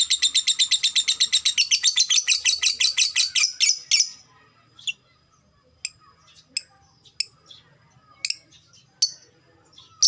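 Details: Lovebird kept as a fighter bird: a long rapid chatter of high, buzzy repeated notes for about four seconds, fading out, followed by scattered single sharp chirps.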